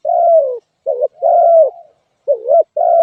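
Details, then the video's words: Repeated gentle coos from a spotted dove, long falling notes alternating with short wavering ones, with brief gaps and no background noise. "suab nquab lauj kaub tawg เสียงนกเขาใหย่"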